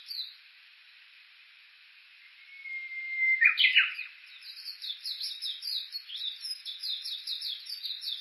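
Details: Japanese bush warbler singing at the foot of Mount Yakushi, Kuka, Suo-Oshima, Japan: one long steady whistle followed by a sharp explosive flourish, with rapid high chirping from other birds behind.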